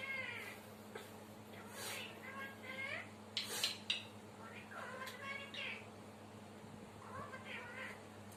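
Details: Talking parrot in Sri Lanka, known for counting and singing, utters a run of speech-like phrases with wavering, harmonic pitch and a few sharp clicks, over a steady low hum.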